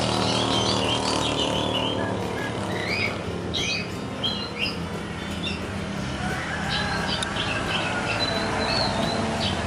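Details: Energetic (giras) oriental magpie-robin kept for song contests, reacting at once to a played recording of its species with quick, varied high whistles and chirps in short bursts, over a steady low hum like traffic.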